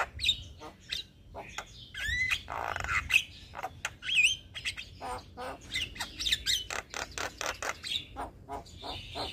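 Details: Song of a young Javan myna kept as a tutor for other mynas: a jumble of squawks, creaky rasps and slurred whistles, with brief twisting whistled notes scattered through a restless, uneven delivery.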